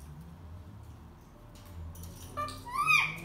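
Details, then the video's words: Two pet rose-ringed (ringneck) parakeets arguing: a quick burst of harsh, rising-and-falling squawks near the end, after a quiet stretch of faint room noise. "Ringneck Parrots (Arguing)"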